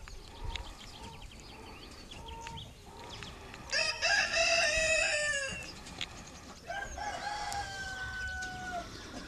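A Dominique rooster gives a loud, strained crow of about one and a half seconds between soft, repeated clucks, then a longer, thinner drawn-out call.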